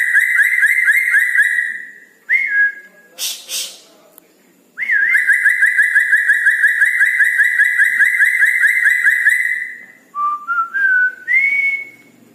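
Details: Red-breasted parakeet in full song at night, delivering long rapid rolling trills broken by short pauses, then a run of clear rising and level whistled notes at the end.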